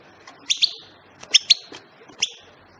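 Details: European goldfinch giving short, bright chirped notes in small pairs and clusters, separated by brief pauses, with a quiet background.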